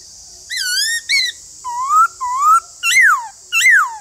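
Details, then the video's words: Loud white-cheeked laughingthrush phrases: long wavering whistles, two rising slurs, then two sharp down-slurred whistled notes in under four seconds, with a faint low tick beneath and steady hiss. "Nếu khướu bạc má nhà bạn đang bị yếu lửa không hót thì mở video này lên kích bổi vô cùng hiệu quả"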